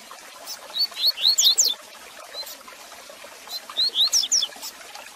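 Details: Double-collared seedeater song for stimulating a caged male: two phrases of quick, high, looping whistles, each a run of about five rising and falling slurs, separated by a short pause with a single soft note.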